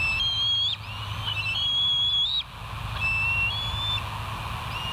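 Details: Bald eagles at West End, filmed on a live nature cam on 08/04/2023 at 05:22: long, thin, high whistles that waver and slide upward, repeated several times with short gaps, over a low steady hum.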